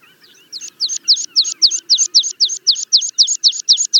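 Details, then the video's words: Meadow pipit song as a fast, steady series of about fifteen thin, high, slightly descending notes, evenly repeated roughly four times a second after a few soft opening notes. "Meadow Pipit - Songs"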